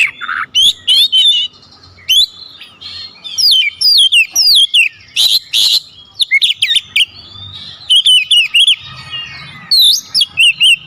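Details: Oriental magpie-robin singing a tutor song of varied fill-ins and calling tones: bursts of sweet whistled slurs, chattering buzzes and sharp chips, delivered in short rapid runs separated by brief gaps.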